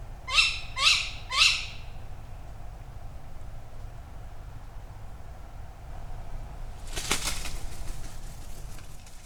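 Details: In an overnight August recording from woodland in Padarn Park, Wales, as rain arrives, a resident Tawny Owl gives three harsh, rasping calls about half a second apart, then a brief rustling burst, perhaps as it flies through the trees.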